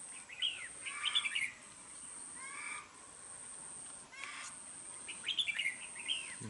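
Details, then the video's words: Red-whiskered bulbul kept caged as a decoy and fighting bird in Đồng Nai, Vietnam, said to sing often with a harsh voice. Two clusters of quick, bright warbled notes frame a quieter middle, over a persistent high whine. "Bẫy đấu chào mào vip | nhậy đuôi xoè mềm , siêng mỏ giọng gắt , hay bung xoè"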